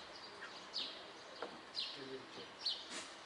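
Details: European goldfinch song: sparse, brief high chirps and twittering notes in short bursts, spaced irregularly across the few seconds, over a faint steady background hiss.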